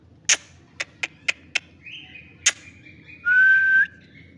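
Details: Green ringneck parrot, newly kept, producing a run of five crisp clicks, a faint drawn-out tone, then a bright rising whistle lasting about half a second. Faint background music.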